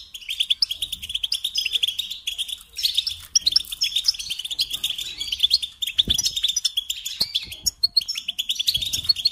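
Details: Nearly unbroken European goldfinch song, a dense stream of high twittering, tinkling notes and buzzy trills, with a soft thump near the middle.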